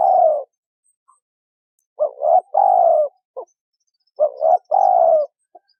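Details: Female spotted dove calling to stimulate a male to coo: low, mellow cooing phrases, each a short double note followed by a longer drawn-out coo, given twice with quiet pauses between.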